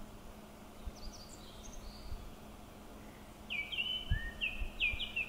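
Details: Japanese thrush song at Kubokawa Ihatov, Japan, recorded 1 and 13 May 2019: faint high thin notes first, then a quick run of bright, clear whistled phrases that slur downward. A steady low hum runs beneath.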